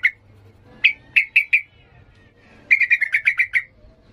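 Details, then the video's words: Yellow-vented bulbul singing in 'ngalas' style for training young birds: four spaced sharp whistled chips, a pause, then a quick run of about eight clear chirps. "Trucukan gacor emosi NGALAS"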